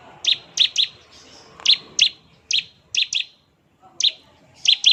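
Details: Bar-winged prinia, called a strong singer, delivering its 'ngebren' song meant to coax replies: high, sharp double notes given singly or in pairs about every half second, with short silences between.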